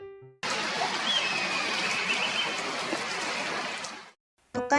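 Mostly steady rushing water-like noise, framed by brief music and a voice at the start and end, with no clear animal call.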